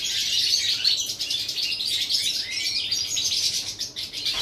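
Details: European goldfinch twittering recorded 11 September 2018: quick, bright chirps and tinkling notes tumbling over each other, with a brief rising whistled slur partway through and small drops in loudness between bursts.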